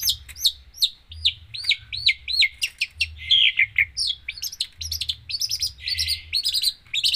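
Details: Energetic long-tailed shrike song, full isian style: quick runs of downslurred whistles, repeated sharp chirps and a buzzy trill midway, delivered almost continuously above a faint low background hum.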